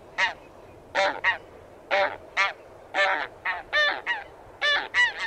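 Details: Taiga bean goose (Anser fabalis) giving irregular nasal honks, singly and in quick twos or threes, about fifteen in five seconds, over a steady low rumbling background noise.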